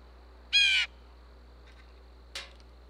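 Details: Blue jay food call at a bird feeder in Minnesota, USA, telling other blue jays there is food: one strong raspy jeer, then after nearly two seconds a fainter, shorter harsh note.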